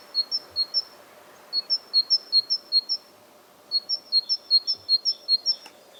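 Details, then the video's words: Great tit song, the loud two-note "tee-cher tee-cher" phrase sung by males in spring as territorial display; clear high notes alternate in rapid runs of about six to eight, in three bursts with short gaps. "What Do Great Tits Sound Like?"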